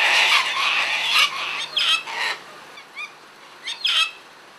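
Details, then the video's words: Sulphur-crested cockatoos feeding together in a frenzy: a long drawn-out raucous screech, then a few shorter harsh squawks and brief nasal notes fading toward the end. "Sulphur Crested Cockatoos Playing"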